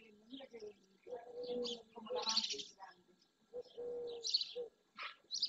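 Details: Barn swallows gathering by the dozen, mostly juveniles among them, at the Doñana marshes in Andalusia, Spain, early June; dense high buzzy chatter in short bursts, with steady low whistled notes from other birds underneath.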